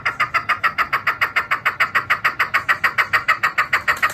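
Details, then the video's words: Farm-kept hunting (decoy) Chukar partridge giving a steady run of hoarse chuk notes, about three or four each second, with a faint background hum. "شکاری چکور کی خوبصورت آواز|| Chakoor ke awaz"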